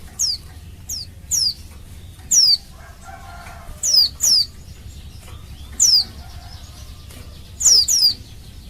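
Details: Female Oriental white-eye in breeding condition calling to males to prompt them to sing: thin, very high notes sliding steeply downward, spaced irregularly, sometimes doubled, with a soft low hum underneath.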